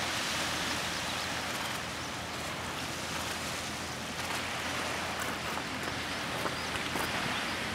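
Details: Loud, continuous broadband roar of waves or rushing water fills the whole recording, with no animal calls.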